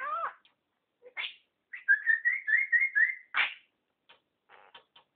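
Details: A talking pet budgerigar, said to swear, mimicking speech with raspy word-like phrases that run into a quick warbled chatter.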